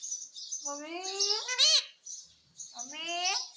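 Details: Talking pet parrot imitating the word "mummy": two drawn-out, voice-like, two-part syllables with a low rising tone over a hissy background.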